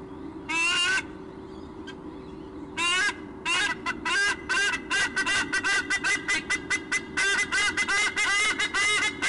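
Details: Pair of White-bellied sea eagles at their nest during a nest exchange, calling loudly in a duet of honking, nasal squonk notes, first two separate bursts, then a rapid run of repeated squonks about every third of a second, over steady low hum.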